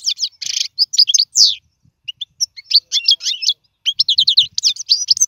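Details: European goldfinch song used for teaching young birds to sing: rapid bursts of high twittering, buzzy and liquid notes with short trills, broken by brief pauses, then resuming in quick clusters.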